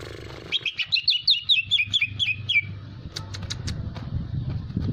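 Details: Greater green leafbird, described as hyperactive, singing to lure other birds into song: a quick series of about ten sweet downslurred whistles, then scattered clicks over a steady low hum.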